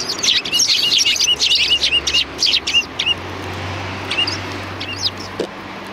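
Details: Sparrows welcoming someone at a cultural hall on 7 February 2020: a rapid run of chirps, about three a second, then thinning to a few isolated calls over a low engine drone.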